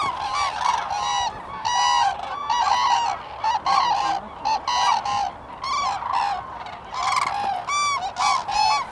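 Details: Close, loud cranes at Lake Hornborgasjön, Sweden, recorded April 2017. Rolling, trumpeting calls come in short separate bursts about once a second, strongly ringing, with quieter flock murmur in the gaps.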